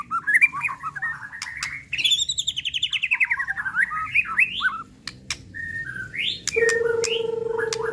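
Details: White-rumped shama (murai pastol) song used as a lure to excite other shamas and draw out their repertoire: rich warbled phrases, a long rapid whistled trill sweeping high then falling, rising notes, and a steady low tone near the end.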